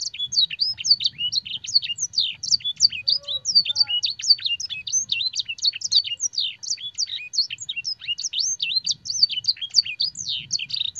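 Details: Fancy canary training song filled with blackthroat and sanger phrases, an unbroken rapid high chatter of slurred whistles and chips, with a couple of soft lower whistled notes and faint low background rumble.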